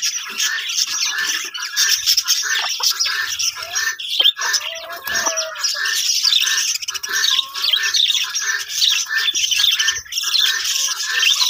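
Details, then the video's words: Many budgerigars in a breeding colony set up for parrots, chattering together in a dense, continuous wash of high chirps, squawks and warbles with no pause; occasional low knocks and thumps underneath. "budgies parrot colony setup"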